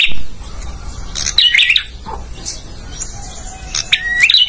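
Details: Male bar-winged prinia singing, recorded as a training song for caged birds: two brief bursts of sharp, high chirps with hooked, rising notes, separated by quieter pauses, over a faint steady electronic whine.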